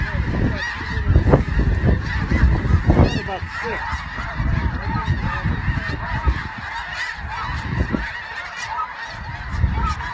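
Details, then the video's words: Snow geese flock chorus, many birds honking at once in an unbroken nasal babble, with louder bursts early on and gusty wind noise below. "Snow Geese"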